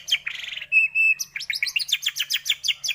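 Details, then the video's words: Lure song of a white-rumped shama, meant to excite shamas into full song. Scratchy chatter gives way to a held whistle, then a quick, evenly repeated series of bright high notes. "pANCINGAN pendongkrak emosi burung murai batu cepat gacor mudah bongkar isian"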